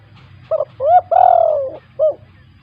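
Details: Spotted dove in full voice, kept as a lure to prompt quiet doves into calling: a short hoot, a rising swoop, then a long drawn, slightly rough falling coo and a final clipped note, over faint low hum.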